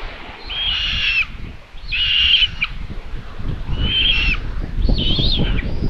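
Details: Solar-powered nest camera in Tiszalök, Hungary, 27 May 2022, watching common buzzards as the mother brings food: four loud, strained mewing cries, each nearly a second long, spaced over a second apart, over light wind noise.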